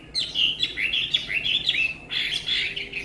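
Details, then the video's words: Chinese hwamei, tame and sweet-voiced, pouring out a rich, dense warble of rapid whistled notes in two bursts separated by a brief gap. "họa mi ccdv1121 thuần đẹp giọng hay quá"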